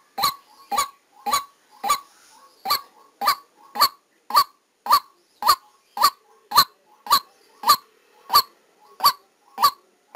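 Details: Decoy white-breasted waterhen calling during a trapping session, recorded live. About nineteen harsh, abrupt 'kwak' notes come at a steady, fast pace, with quieter short notes tucked between them.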